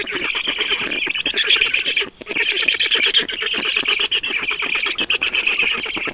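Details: Black storks at their nest in Estonia, 5 June 2019, 20:28, with water being brought in; continuous chattering, wheezy squeaks in quick pulses, one brief pause near two seconds.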